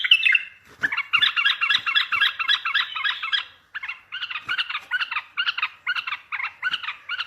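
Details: Bulbul calls used as a trapping lure to make distant bulbuls reply. Fast, buzzy, evenly repeated chattering notes run almost continuously, then continue in slightly slower grouped pulses.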